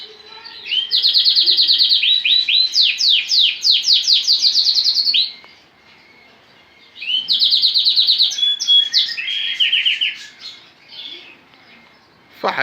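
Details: Caged lemon Lancashire canary male in full song: two loud bursts of fast rolling trills and repeated sweeping notes, separated by a short pause, with a voice cutting in at the very end.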